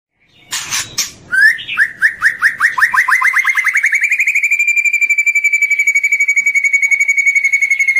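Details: White-rumped shama (murai batu) in a long morning training recording: a burst of scratchy notes, then a rising series of quick clipped notes that settles into a steady, fast, even trill.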